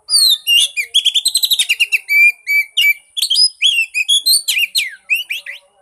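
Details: Oriental magpie-robin song used as a lure to prompt a silent bird to sing: a loud, fast stream of sweet whistles and buzzy trills, with sliding high notes and short clipped phrases running almost without pause.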